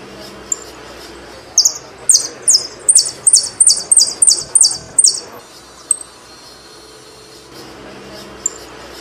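Saffron finch song: a quick run of about ten bright, high, buzzy notes over roughly four seconds, with a few lone sharp chips before and after.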